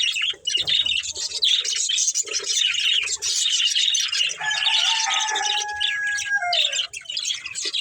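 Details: Pet budgerigars at play and feeding twitter in high, scratchy chatter, while a lower drawn-out whistled tone slides downward in the second half.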